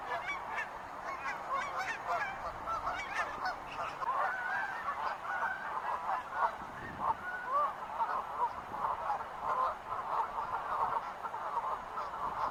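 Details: Wild geese in a large calling flock, overlapping honks and rising yelping notes packed into an unbroken chorus lasting the whole stretch.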